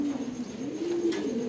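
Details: Low, rolling pigeon coos from racing pigeons being readied for summer breeding. The tones waver gently and include a longer drawn-out note near the middle, with a brief rustle later.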